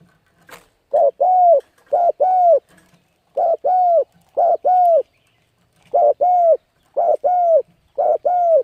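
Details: Spotted dove, or cu gáy, in steady 'thúc gù' cooing to lure birds and train young birds: seven short-long pairs of low, hollow coos, repeated about once a second with short gaps.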